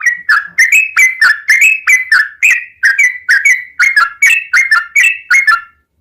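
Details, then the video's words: A Yellow-vented Bulbul (Pycnonotus goiavier) sings a fast, bubbly, chattering run of short liquid phrases, about two or three each second, with nothing else heard. "Burung trucukan gacor"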